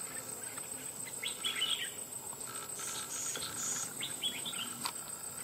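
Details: Red-whiskered bulbul caught from the wild after about two months of trapping, crest raised and displaying. Two short bursts of bright chattering notes, separated by a pause, over a continuous high insect drone.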